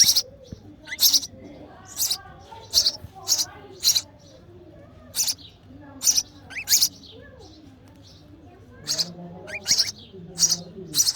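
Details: Nestling sparrow begging while being fed by its mother: about seventeen piercing high chirps in irregular runs, a brief pause of more than a second midway, then the chirping resumes quickly.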